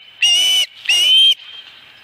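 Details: At the Dunrovin Ranch nest on 26 August 2020, an osprey gives two drawn-out, shrill whistles with a short gap between them, over faint background hiss.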